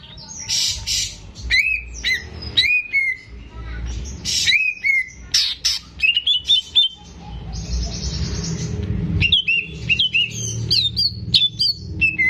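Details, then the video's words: Caged greater green leafbird in lively song for training raw birds: busy mixed phrases of buzzy notes, downslurred whistles and rapid chirps, with a brief hissing noise in the middle. "CUCAK IJO GACOR || PAS BUAT PANCINGAN BURUNG BAHAN"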